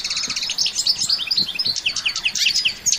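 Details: Lively batbata song from a European goldfinch, natural without effects: a busy torrent of rolling twitters and buzzy slurred notes, with a faint low background murmur.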